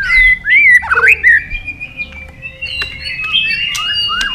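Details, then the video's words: Caged White-rumped shama in competition song: a clear whistled note sliding into a twisting, looping phrase, then quieter sustained high whistles and scattered chips. "chòe lửa đập đuôi nhấp cầu hót đấu giọng rừng dài"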